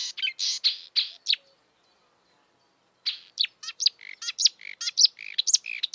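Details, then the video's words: Marsh warbler song from the wild: a burst of scratchy high notes, then about a second and a half of silence, then a faster, varied chatter mixing buzzy and clearer whistled elements. "kicauan merdu burung marsh warbler / kerak basi di alam bebas"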